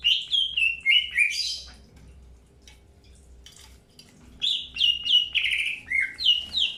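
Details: Greater green leafbird during early pairing, kept birds being introduced: clear whistled notes sliding down from high to mid pitch in quick runs, a pause of quiet, then another burst of repeated falling whistles.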